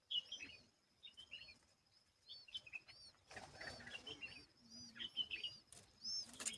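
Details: Asian babbler tending its babies and clearing bugs from them, giving bright high chirps and short whistled notes in quick irregular bursts, with scratchy rustling between calls.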